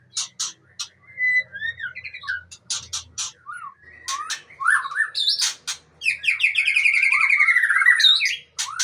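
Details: Long-tailed Aceh white-rumped shama singing: scattered sharp clicks and short whistles build into a loud sustained warbling, trilled phrase near the end, with a faint low hum in the background.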